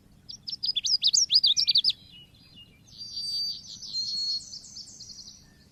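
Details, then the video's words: Oriental white-eye, a lure recording: a rapid twittering string of sharp high chirps, then a softer series of quick repeated high descending notes. "MASTERAN PANCINGAN BURUNG PLECI"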